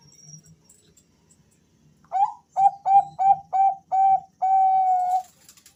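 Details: A male Bangkok-type zebra dove calls in answer to another male, giving six short, clear coos about a third of a second apart and then a long sustained note. The background is quiet.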